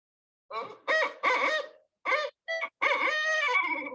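A Barred Owl gives its rhythmic hooting phrase, about six rich, nasal hoots ending in a long, drawn-out, falling note, like 'who cooks for you, who cooks for you-all'.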